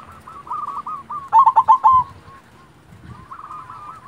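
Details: Zebra dove, local silver type, produces a loud stuttering volley of five sharp notes between runs of soft, beaded coos, against a busy background of fainter low sounds.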